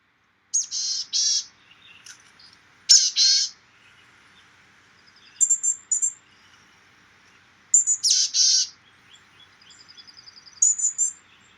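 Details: Boreal Chickadee in winter in the Edmonton area, giving nasal, raspy, laid-back chick-a-dee calls: a few thin high notes then a burry drawn-out phrase, repeated about every two to three seconds.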